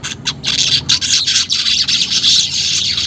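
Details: Weaver song meant to coax caged birds into chattering: an unbroken, harsh, hissing stream of very high buzzy notes with quick stutters, loud throughout.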